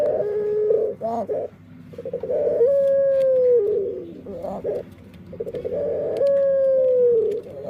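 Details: Dove with an unusual voice, its owner unsure whether it is unique or defective; rolling low coos alternate with long, steady, slightly falling whistled tones, three phrases in under eight seconds, quiet indoor background.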